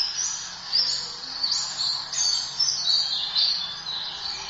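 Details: Oriental white-eye song used as a tutoring recording for caged birds, in a 'tembakan' style: thin, high twittering phrases that run together with short rising and falling slurs, fairly soft against a light background hiss.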